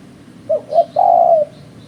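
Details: Trapping lure recording of a spotted dove: a pair of brief soft coos leads into a longer sustained low coo that dips slightly as it ends. Light background hiss and faint high chirping are also present.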